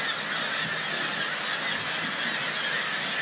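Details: A dense, unbroken roar of thousands of black-legged kittiwakes calling at a crowded colony near Whittier, Alaska: countless harsh nasal cries blend into one steady wall of sound.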